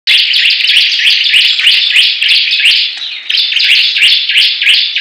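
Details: Bar-winged prinia (ciblek) song in a 'perang gacor' contest of competing birds: dense, high, buzzy chirps overlap almost without a break. Several voices seem to interweave in rapid repeated phrases.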